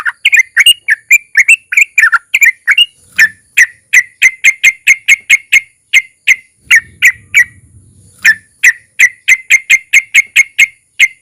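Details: Yellow-vented bulbul (trucukan) with long ropel phrases, aimed at getting other bulbuls singing: warbled chirps shift into long fast runs of sharp, identical clipped notes, broken by one short pause with a faint low hum.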